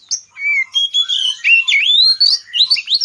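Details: Bird chirping: a continuous, fast, high-pitched warble of whistled slides and twitters, rising and falling without pause, with no other sounds.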